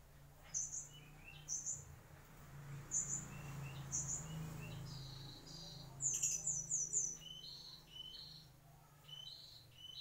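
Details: A mangrove whistler gives repeated very high sharp notes about once a second, then a fast cluster of them, followed by mellower whistles, over a low steady background drone.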